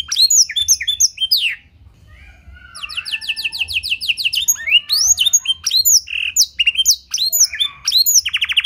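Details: Clear-voiced tutor song from a canary filled with blackthroat phrases, meant to set other canaries singing. High, swooping whistles open the clip, then a brief quieter pause, a steady rapid trill, and more looping notes ending in a short trill.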